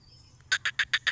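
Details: Female black francolin, kala teetar: five short harsh clucking notes in quick even succession, about seven per second, over a faint low hum.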